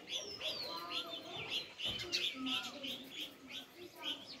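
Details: Sparrows chirping: dense, overlapping short bright chirps and twittering notes, rapid and irregular, with a few lower sliding whistles beneath and a soft background hum.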